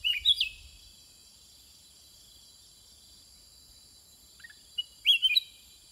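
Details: Sooty-headed bulbul in a song exchange with wild birds, giving a brief gurgling phrase at the start and another after a long pause near the end, with steady high-pitched insect noise throughout.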